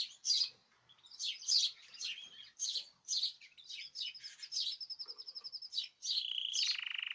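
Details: A chorus of caged birds on 2026/03/14. Busy overlapping chirps lead into a rapid pulsed trill, then a steady buzzy tone runs through the final second.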